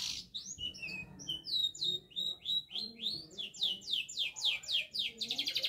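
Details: Canary in lively song while practising head-shaking: varied whistled slurs, then a long series of rapid, repeated downward-sweeping notes that speed up toward the end into a dense rattle.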